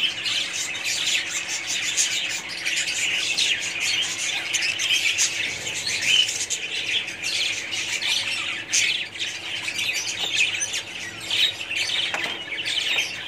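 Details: Many budgerigars in a colony keep up a long unbroken chatter of high twittering, chirps and harsh squawks, with occasional louder peaks and a brief wing-flutter-like rustle among the busy chorus.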